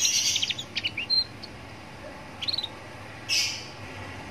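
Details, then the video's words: Roadside recording of a young canary song used to coax other canaries into singing: scattered short high chirps and quick whistled notes in small bursts, separated by quiet gaps, with soft traffic hum beneath. "Pancingan kenari paud biar bunyi"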